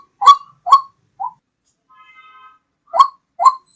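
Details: White-breasted waterhen call used as a hunting lure: short loud harmonic notes near the low-middle range in pairs, two at the start and two near the end, a softer note between, and a faint tonal hum in the gap.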